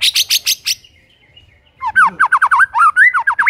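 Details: White-rumped shama song played to coax non-singing shamas into singing: high rapid chips, a quiet pause, then a fast series of loud whistled up-and-down slurred notes.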